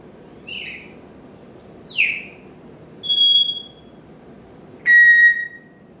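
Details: Pet parrot on a stand in a kitchen and dining area, morning routine: a short chirp, a falling swooped whistle, then two separate level electronic-sounding beeps, each about half a second, against quiet room background.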